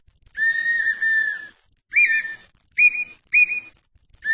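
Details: Red-winged tinamou, called perdiz or perdigão in Brazil, giving one long level whistle, then brief upslurred whistles, and the start of another long note.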